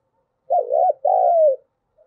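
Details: Spotted dove cooing as a lure to provoke calling, in the 'giọng thổ' style. A single low, mellow phrase: a quavering opening note, a brief gap, then a long steady note easing downward.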